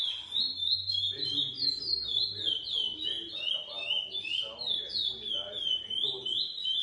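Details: Lesser seed finch bred in captivity, GP crossed with Coimbra, gives a long rapid series of clear slurred whistles, rising and dropping in even rhythm, with low murmuring talk underneath.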